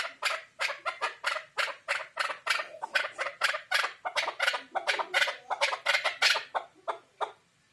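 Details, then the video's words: Chukar partridge call: long, fast series of harsh, rasping chuckle notes, roughly three a second, fading at the end. "Кабки шикори Куропатка Kaklik Keklik Partridge الحجل کبک"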